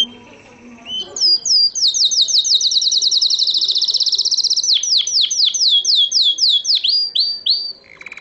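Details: Canary from Morocco, recorded 2012, delivering a loud rapid trill of repeated rising sweeps that holds for several seconds, then breaks into slower drooping notes and a short low buzz.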